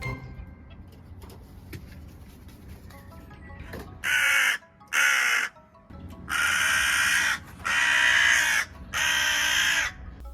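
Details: Hooded crow gives five harsh, rasping caws, two short then three drawn out about a second each, said to be the alarm call for an approaching predator, specifically a cat, sometimes faked to scatter feeding crows; faint music first.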